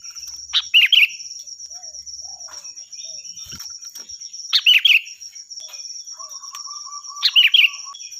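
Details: Sooty-headed bulbul giving loud, shrill song meant for training other birds: three short, gurgling phrases of quick chirps about three seconds apart, a constant high whine, and a faint low buzzing tone near the end.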